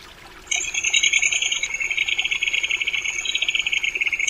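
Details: Crested kingfisher giving a long, harsh, buzzy rattle of rapid pulses that runs without a break for nearly four seconds, shifting slightly in pitch partway through, with quiet background otherwise.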